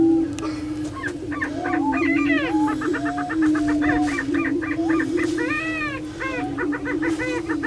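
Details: Lekking prairie chickens at Glyndon, Minnesota's Bluestem Prairie Preserve produce a constant low drone beneath dense, rapid cackling and loud arching whoops that rise then fall, heard repeatedly across the stretch.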